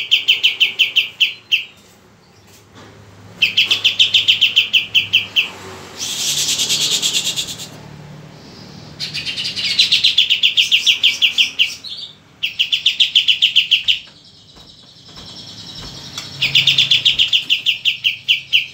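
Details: A wild-caught white-eye, already singing, gives bright, rapid twittering phrases, each burst lasting a couple of seconds with short pauses between.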